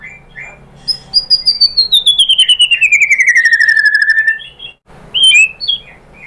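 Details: Shama song played to goad other birds into answering: a long buzzy trill descending steadily from high to mid pitch over three seconds, a brief pause, then sharp chirped whistles.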